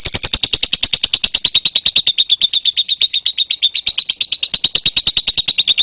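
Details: Ngekek long chatter of a lovebird, used as a lure and master song for training songbirds: an unbroken stream of rapid, harsh, high chattering pulses, about eight per second, keeping an even pace throughout.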